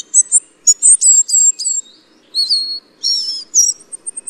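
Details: High, thin piping notes from a ferruginous flycatcher, delivered in quick clusters of slurred whistles, a pause, then further wavering high phrases ending in a string of faint rapid ticks. Otherwise quiet, with faint low background rumble.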